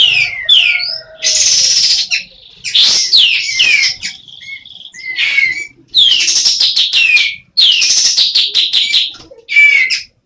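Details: Female sooty-headed bulbul, semi in breeding condition, giving a varied run of loud, high whistled notes with sweeping downslurs and chattery bursts, separated by short pauses, plus a brief rapid burst near the end.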